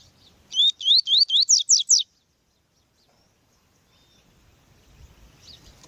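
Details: Double-collared seedeater (coleiro tui-tui) song, a recording with a female, used to train a male: six quick, clear whistled notes sweeping up and down, all in under two seconds, then near silence with faint hiss.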